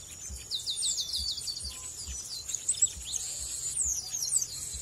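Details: Chestnut-capped blackbird in Brazil, delivering a quick series of sharp, slightly descending high notes, followed by scattered thin chirps, with a continuous high whine and soft low thuds behind.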